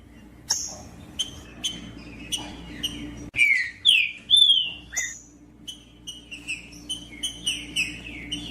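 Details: Female green-winged saltator calls, used to stimulate a cold male to sing, with a male singing. Scattered thin chirps, then a loud burst of slurred whistles, followed by a steady series of short high chirps.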